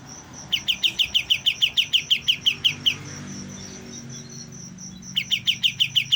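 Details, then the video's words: Young white-eye first learning its song delivers two bursts of rapid identical chirps, about three per second, separated by a pause. In the pause a high pulsing whine and a low murmur are heard. "BURUNG KAPAS TEMBAK MUDA, mulai belajar bunyi"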